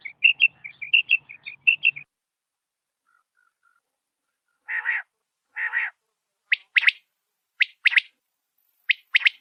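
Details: Quail calling at night, described as walking in the darkness: a quick run of bright chirping notes, two harsh buzzy notes, then sharp, clipped calls about a second apart. No other sounds.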